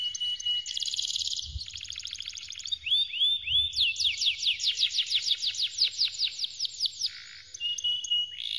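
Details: Canary song used for training: buzzy rapid trills and a rattling roll, short rising whistles, then a long run of quick downslurred notes, ending in level whistles and another trill over a faint low hum.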